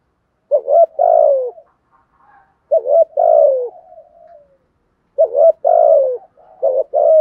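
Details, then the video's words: Spotted dove calling in the 'thúc gù' manner to prompt a newly caught captive bird to coo: three low, hoarse phrases, each a clipped doubled note then a long coo sliding down and fading, separated by brief quiet gaps. "Tiếng chim cu gáy bài bản thúc gù bài bản kích thích bổi nghe gáy liền, giúp bổi rất xiêng gáy"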